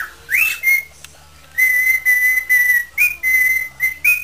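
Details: Improvising pet parrot whistling a tune. It rises into a bright note, then holds long, level, clear whistles on one pitch with brief breaks between them, ending on a slightly higher note. Occasional noisy bursts accompany the notes.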